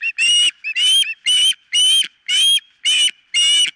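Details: Osprey at the nest, nest-camera recording from 4 September 2023: loud, drawn-out whistled cries, each about a third of a second, repeated about twice per second with short gaps.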